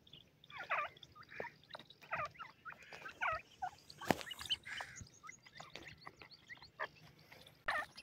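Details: Family of grey francolin chicks dust-bathing and foraging on soft ground, giving a series of brief, bright chirps about every half second, one sharp click-like knock midway, and faint scratching underneath.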